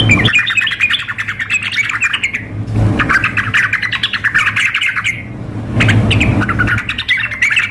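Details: Yellow-vented bulbul mix of a female calling a male and a bird singing hard, staged as a contest simulation. Busy bubbling chatter comes in long runs of two to three seconds, with continuous low hum.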